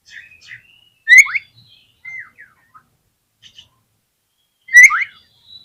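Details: Oriental magpie-robin song used as a lure to provoke other magpie-robins into singing. Soft warbles lead into loud paired whistles that swoop down and then up. The phrase is repeated after a quiet stretch of scattered chips.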